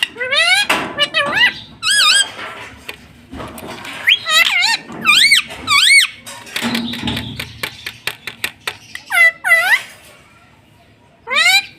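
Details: Green ringneck parrot, a house pet, mimicking words: repeated curving, harmonic syllables rising and falling in pitch, grouped in short phrases between clicks and taps, with a brief low hum mid-way.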